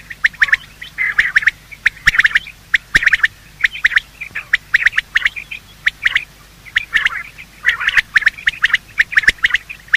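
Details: Morning calls of male and female quail, used as a hunting lure: dense bursts of short, bright chirping notes in quick clusters, with brief pauses between groups and a steady low hum underneath.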